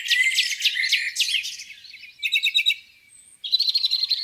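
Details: Birds singing at a lake on a spring morning: loud sharp downward-sweeping notes, then a short rapid stutter, a quiet pause, and a buzzy fast trill.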